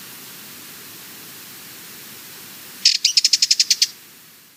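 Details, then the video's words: After a few seconds of steady background hiss, a Sardinian warbler bursts into a rapid dry rattle of about ten sharp high notes lasting one second. "Sardinian Warbler - Calls"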